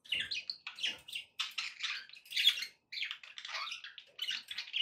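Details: Budgie song meant to encourage a pet parrot to eat and sing: almost continuous run of rapid, gritty warbled chirps and chatter with one short pause.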